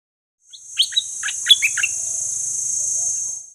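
A quick burst of bright, high chirps and short warbled notes, lasting a little over a second, over a steady, high, insect-like buzz that runs throughout.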